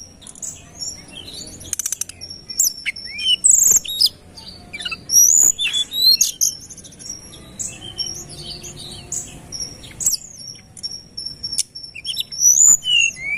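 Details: Sunda robin singing vigorously on a lure recording: rapid high whistles, sliding upward and downward notes and brief sharp chips, delivered in dense bursts separated by short pauses.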